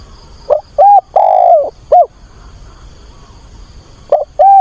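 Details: Decoy spotted dove cooing to find a mate, recorded on a weekend, 24 August; a four-note phrase of low hollow coos (short, short, long drawn-out falling note, short) begins again near the end over quiet background hiss.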